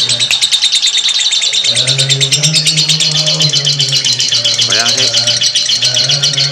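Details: Ngekek chatter from a lovebird, kept up at length: tight bursts of high, harsh twitters in steady succession, with a short falling squeal near the end and a low hum.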